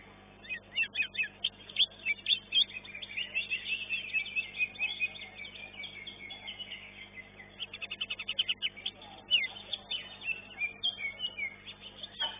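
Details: Greater green leafbirds, caged contest birds in an elite class at a bird singing competition, several singing together: dense, rapid chirping and twittering phrases with sharp upward and downward slurs, bursts of loud notes close together throughout.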